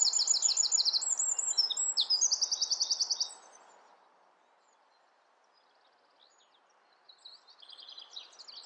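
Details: Wren in nesting season, probably singing to its mate, delivering a fast, high rattling trill and varied chattering notes for about three seconds, then a pause with faint background hum before softer trilling resumes.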